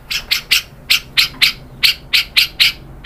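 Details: White-rumped shama heard on a lure recording made to provoke other birds to sing. Harsh, scratchy chack notes are repeated about every quarter second, steady and unbroken across the clip.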